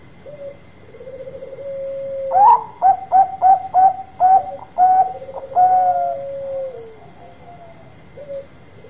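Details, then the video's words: Bangkok-type zebra dove singing strongly to lure other doves to respond: soft coo, then a loud series of about eight punchy staccato notes over a long low coo, a falling coo afterward and a last short note; faint steady high tone. "Perkutut Bangkok Gacor Suara Besar Tepat Buat Pancingan Cepat Nyaut"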